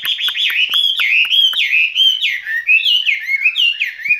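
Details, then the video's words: Continuous, bright warbling from a caged skylark, a spring love song of slurred chirps that step downward and rise again, with a few clicks at the start. "Chim quý ở lồng son ca bản tình ca mùa xuân"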